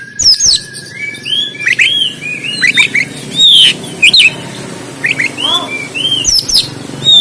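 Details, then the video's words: Oriental magpie-robin in Banten giving the fighting song used as training material for kept birds, phone-recorded: varied loud whistles, upslurs and downslurs mixed with harsh clicks, delivered continuously, with a low background hum. "KACER KONSLET TARUNG‼️Terapi Ampuh Untuk Kacer Trotolan Dan Kacer Macet Bunyi Biar On Buka Ekor"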